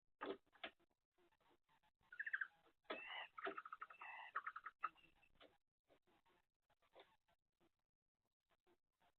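Barn owls exchange soft, rapid chittering and twittering bursts, with sharp clicks and taps scattered before and after the calls.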